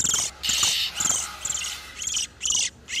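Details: Oriental magpie-robins, male and female in breeding condition, a lure call for catching wild birds: dense buzzy, rasping phrases repeated about twice a second with short gaps between them.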